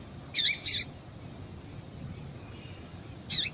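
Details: Female yellow-bellied seedeater calling to get males worked up; a close pair of buzzy, high chirps with falling tails, then a similar chirp about three seconds later.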